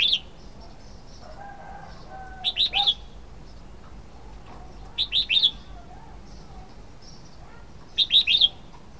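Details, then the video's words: Three separate phrases of clear, bouncy triple notes from a Red-whiskered bulbul, spaced roughly every three seconds, with soft, low whistles from the surroundings in between. "Red-whiskered bulbul sound 07"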